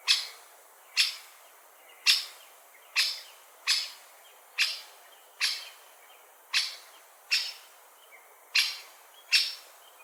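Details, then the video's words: Great spotted woodpecker call: sharp, high 'kik' notes, about one per second, eleven in all, over a quiet background. "Woodpecker Call"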